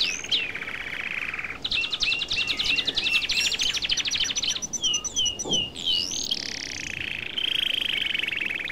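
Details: Lively twittering song of a European goldfinch: high whistled phrases broken by brief pauses, a buzzy rattling passage, a string of descending chirps, then a sustained high warbled note near the end.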